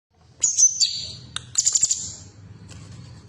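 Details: Female bulbul (cucak cungkok) sound played to stimulate caged birds to sing: high thin whistled notes and a quick rattling trill of about six pulses, each phrase under half a second, over low background hum.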